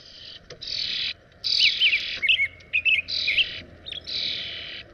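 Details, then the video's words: American robin's warbled whistled phrases heard through loud, steady buzzing bursts of broadband noise that start and stop every second or so. "canto de robin americano AMERICAN ROBIN"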